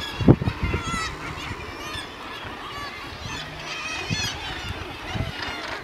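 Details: Northern Gannets on the Helgoland cliffs give harsh, grating calls that burst out loudly near the start, with a few more later over the steady chatter and murmur of the busy seabird colony.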